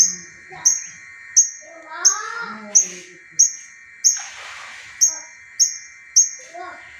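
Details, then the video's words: Long-tailed shrike's tembakan, a regular train of piercing high notes about every 0.7 seconds. A rising lower whistle passes midway and a brief hiss sounds near four seconds. Used as a prompt for caged birds that won't sing. "CENDET TEMBAKAN TENGKEK BUTO NGEBAN SAMPEK 5X"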